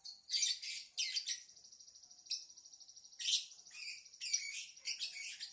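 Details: Lovebird song made of rapid harsh chirp bursts about once a second, with a thin steady high whine running between the phrases.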